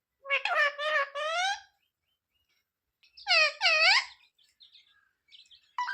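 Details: Talking parrot indoors asking for roti: two clusters of nasal, harmonic word-like syllables separated by about two seconds of silence.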